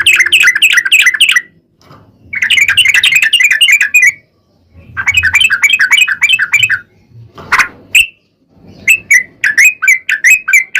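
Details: Sooty-headed bulbul giving 'ropel panjang' rapid song for luring bulbuls to sing: fast bubbly note runs in several bursts with pauses, plus a lone sharp note and a closing string of spaced chirps.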